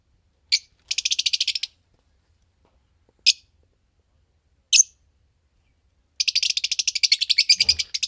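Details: Fischer's lovebirds, green pair: a rapid rattling run of shrill chirps, two isolated sharp notes, then a longer fast, buzzy chatter of high chirps.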